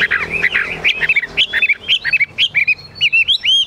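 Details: Caged Chinese hwamei with 'ngũ trường' build pouring out a bright, quick warble of looping whistled notes, each phrase short and bouncing, in its high 'cao cầu' singing style.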